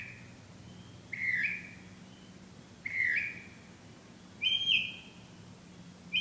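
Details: A bird singing at night, giving a series of short, bright, slurred whistled phrases roughly every one and a half seconds. A low electrical hum runs underneath.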